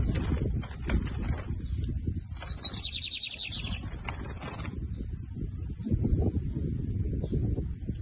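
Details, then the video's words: Bigodinho (lined seedeater) torneado song fragment: a short rapid trill of repeated notes lasting under a second, framed by high sweeping whistles, with a persistent high whine and heavy low background rumble. "BIGODINHO MAGNATA FOI PRA CIMA COM TUDO DO TORNEADO SOLTO!"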